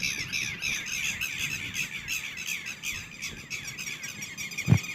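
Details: Red-wattled lapwing chicks calling: rapid, continuous squawky notes with stacked harmonics, repeating several times a second without pause, over low background rumble and a single thump near the end.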